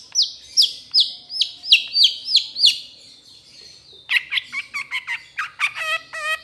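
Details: Long-tailed Shrike of the trotol type, in a training recording meant to get other shrikes singing: a row of about eight loud downslurred whistles, each falling sharply, then a quick run of sharp chirps and ringing notes.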